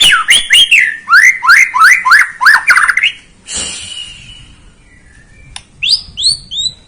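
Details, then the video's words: Lure song of a White-rumped shama meant to excite a young bird: a series of loud downslurred whistles repeated several times a second, a brief harsh note, then a few high slurred whistles. "Pancingan Murai batu paud agar emosi"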